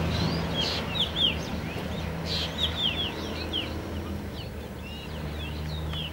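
A young Black drongo gives quick, high whistled notes, some slurred up and some down, tumbling in irregular bursts over a steady low hum.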